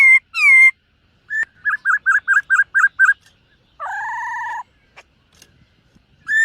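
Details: Morning song practice of a singing, dancing silver-eared laughingthrush. Slurred whistles open into a quick series of seven short, even notes, then one sustained, rich, double-toned whistle, with a final clear note after a quiet gap.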